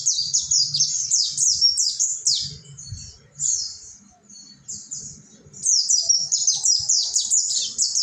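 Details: Mountain white-eye (pleci monty) masteran in ngalas style, meant to restart song in caged birds. A quick cascade of high descending chips fades into scattered softer notes mid-clip, then resumes in a lively rush, with low background rumble.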